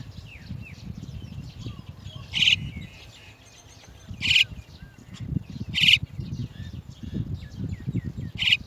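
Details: Chestnut-tailed starling mothers arriving to bring chicks out of the nest: four loud, rasping, broadband calls spaced irregularly, with thin high chirps and whistles in between and low background rumble.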